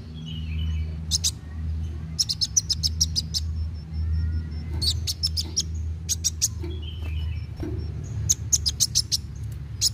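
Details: Kolibri wulung sunbird singing fast in narung style, meant to spur young birds into song: clusters of very high, quick ticks and short thin whistles, with a loud low droning hum throughout.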